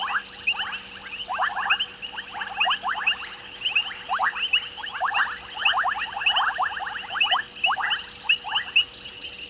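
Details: Evening chorus of white-faced whistling ducks at a waterhole on Djuma Game Reserve, Sabi Sand, South Africa; dense runs of sharp rising whistles from a group, nearly continuous, with a low steady electrical hum.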